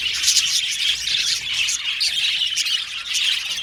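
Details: Male violet budgerigars in an aviary colony, many birds chirping together in a dense, continuous high twittering chatter with scratchy squawks mixed in.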